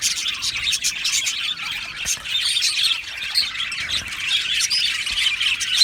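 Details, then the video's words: Aviary of Australian budgies singing and chirping: steady high-pitched chatter with scattered squawky notes and rapid twitters layered from many birds at once. "Beautiful Australian Budgie birds aviary sound | Budgie singing and chirping sounds"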